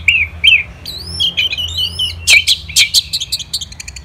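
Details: Orange-headed thrush kept in captivity in Indonesia, singing: mellow looping whistles, then louder emphatic notes and a quickening series of short chips, about six per second near the end.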